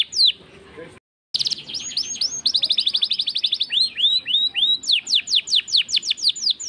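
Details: Singing canary in lively gacor form, after a short gap bursting into rapid rolls of high falling notes, then slower looping sweeps and a long series of sharp downward strokes several each second.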